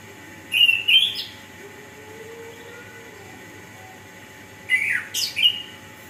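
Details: Orange-headed thrush song played to encourage lazy birds to sing: two clusters of clear whistled notes with fast slurs and a steep downward sweep, a long gap between them and low background hum.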